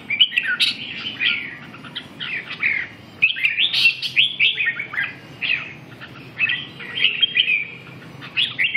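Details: Red-whiskered bulbul of the 'mào cui' type, a bird being brought back into form. It gives loud, rich warbled phrases of quick slurred whistles that rise and fall, delivered in bursts separated by brief pauses.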